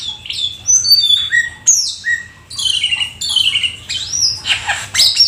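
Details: Rare, exotic Black-winged starling in vigorous full isian song: a rapid run of bright whistled notes sliding downward, then harsh scratchy bursts and buzzy chatter with few pauses.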